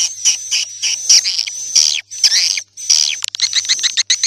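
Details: Swiftlet calls come in short grouped bursts of buzzy, chattering chirps separated by brief silent gaps, ending in quicker clipped notes, with a faint constant high whistle behind.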